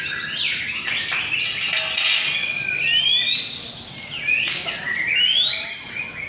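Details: White-rumped shama competing in a bird singing contest in North Jakarta, Indonesia; loud whistled phrases sweep upward to a high pitch near two and five seconds, over a dense, constant chatter of other contest birds.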